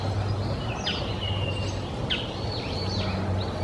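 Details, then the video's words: Japanese grosbeak gives clear, slurred whistles, some sharply swooping, others drawn out and level, over a steady low rumble of background noise. "イカル - Japanese Grosbeak -"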